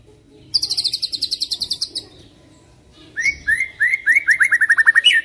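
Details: Lure song of a white-rumped shama meant to make other shamas sing: a loud, fast trill of high, even notes, then a pause, then a second rapid series of lower, falling notes that speeds up toward the end.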